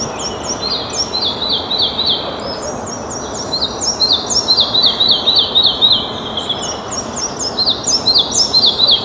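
Red-breasted flycatcher giving rapid, high, thin notes, about four a second, in falling series, over a steady rushing background hiss.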